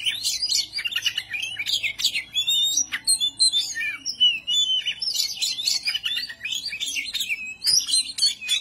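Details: Oriental magpie-robin in ngobra, an agitated display that provokes rivals; long continuous flow of loud whistled, chattering and mimicking phrases with quick rising and falling slurs, brief sharp clicks, over a faint low electrical hum.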